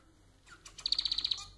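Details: Society finch kept as a pet, singing to prompt other finches: a soft slurred note, a few buzzy notes, then a crisp series of about eight rapid ticking notes at steady pace.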